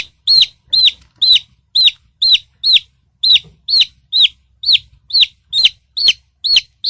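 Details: Chicken chicks peeping: loud, clear, high-pitched notes, each a short downward-curving whistle, repeated steadily about twice a second, fifteen notes in all, with a faint low hum underneath.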